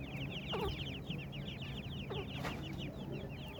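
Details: High, thin peeping from a group of partridge chicks, rapid slurred notes running almost without pause, backed by a low droning hum and a few sharp taps.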